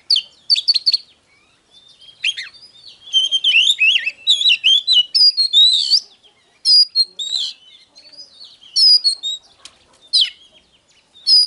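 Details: Oriental magpie-robin song, used as a file to provoke birds into singing and fighting: a long, rich stream of varied sweet whistles, sharp chips and slurred phrases with short pauses.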